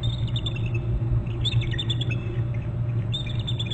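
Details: Bald eagle calling at a nest and territory on Hornby Island, with another eagle flying and a stranger in nearby trees: high, thin chittering notes in rapid series, pausing and resuming, over a steady low electrical hum.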